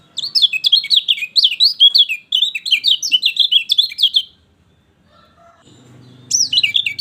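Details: Lively lemon-bellied white-eye song used to stimulate a bird reluctant to sing: long streams of quick, high, twittering slurred notes with a short break, a pause with faint low humming, then the twittering resumes.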